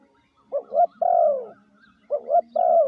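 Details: Lure call of a spotted dove for training decoys: two phrases, each a quick doubled coo then a drawn-out descending coo, separated by about a second of quiet.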